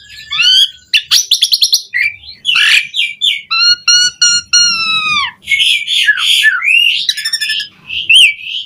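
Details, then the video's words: Asian pied starling song for teaching caged birds to sing, with buzzy rattles, a long series of rapid harmonic chattering notes, squawks and whistled slurs in a varied, dense sequence. "Masteran Jalak Suren Gacor Full Isian JITU Buat Pancingan Kicau Burung Jalak Agar Cepat Bunyi Mewah"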